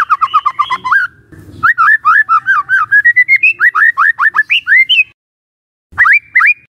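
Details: White-rumped shama singing, played as a lure to provoke other shamas: long fast run of looping whistled notes climbing gradually in pitch, a short low rustle, then a few final upswept whistles after a pause.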